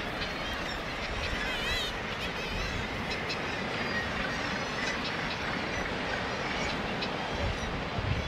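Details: Dense, unbroken din of harsh, grating calls from many northern gannets at the Bempton Cliffs breeding colony, England's only mainland gannet colony, with a few higher wavering cries rising briefly above the roar; music may be present.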